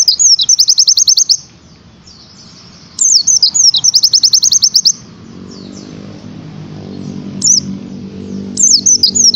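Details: Oriental white-eye (Zosterops palpebrosus), rapid-fire song.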